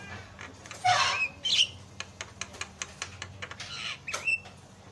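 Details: Javan myna (jalak kebo) lure song intended to get other mynas singing: a loud harsh squawk and whistle, then a run of short clicking ticks, ending with a rising whistled note.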